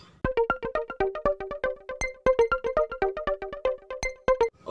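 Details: Plucked electronic melody of short, evenly struck harmonic notes in a bouncing rhythm, with no animal voice heard.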